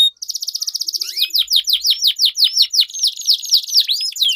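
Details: Competing canaries singing long rolls to encourage silent birds: an opening fast buzzy trill breaks into repeated swooping whistled notes, some rising at the end.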